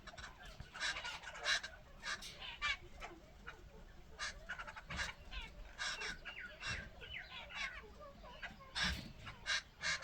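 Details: Jungle babbler, a bird said to alert all forest birds to danger with its call; dense series of harsh, grating, chattering bursts with some short squeaky notes mixed in, repeated irregularly throughout.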